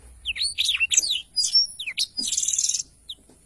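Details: Blackthroat singing a long rolling song: sharp high twitters and swept whistles, then a dense buzzy trill lasting about half a second, ending with a lone chirp against a quiet background.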